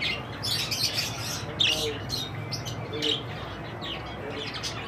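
Budgerigars chatter in a busy flock, with quick high chirps, squeaks and warbling notes overlapping constantly.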